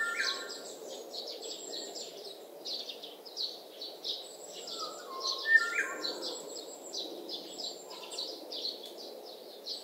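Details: Short fluty whistles from an oriole, clustered at the start and again midway, set against a continuous backdrop of high buzzing insects and chirping birds.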